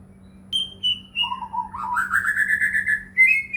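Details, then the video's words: White-rumped shama lure song meant to prompt other shamas to sing: a high held whistle, short low warbled notes, then a long rising series of rapid whistles ending in a bright high note, with a constant low hum underneath. "murai batu gacor AMPUH buat PANCINGAN murai batu agar bunyi"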